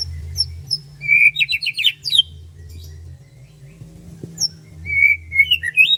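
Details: Birds chirping in the morning at rice fields, a bright run of rapid high twittering notes followed by a pause, then scattered chirps and a rising, buzzy warble near the end, over a faint low drone.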